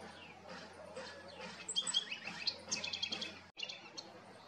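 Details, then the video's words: In Costa Rica, a house wren sings a rapid, bubbling tumble of high chattering and trilled notes in quick bursts, over a faint low hum. "house wren singing"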